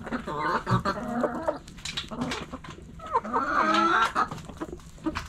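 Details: Backyard chickens, hens and roosters, pecking and scratching: a flock's irregular, overlapping clucks and short nasal, rising notes come in quick bursts of about three per second, with a brief louder squawk near the end.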